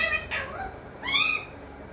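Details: Parrot that talks, said to say mithu, mummy and papa, uttering two short voice-like harmonic syllables, the second rising and bright, against a quiet indoor background.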